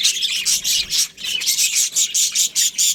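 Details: Australian budgerigars, a breeding pair, chattering in a dense, buzzy, high warble with bursts pulsing roughly every quarter second across three seconds.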